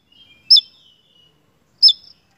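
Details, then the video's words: Javan tesia singing vigorously in a lure recording made for songbird keepers. Two loud, sharp high notes, each dropping steeply in pitch, are separated by over a second, with faint thin twittering between them. "PANCINGAN SEJALUR TESIA JAWA GACORR"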